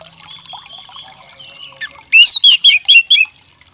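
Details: Orange-headed thrush song played as therapy to coax a stressed, silent bird into singing again: soft, low warbling at first, then a loud run of five quick rising whistled notes in about one second.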